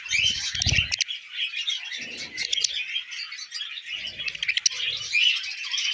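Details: Tamed pet budgerigars feeding on millet, several together, keep up a continuous scratchy warbling chatter with sharp high chirps, over intermittent low thuds and rustling sounds.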